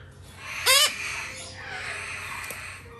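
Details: Male red-shouldered macaw chick in a shop, still hand-fed three times a day; one loud harsh squawk with stacked harmonics, followed by faint background noise.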